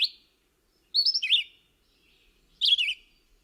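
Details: Red-eyed Vireo singing during spring migration in southern Michigan: short, slurred, high whistled phrases, each rising or falling, repeated very steadily with only about a second's pause between them.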